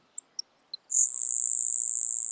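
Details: Grasshopper sparrow (Ammodramus savannarum) in southern California bunchgrass grassland at Starr Ranch, recorded during April surveys, sings four thin, high ticks, then a long, dry, insect-like buzz held for about 1.5 seconds.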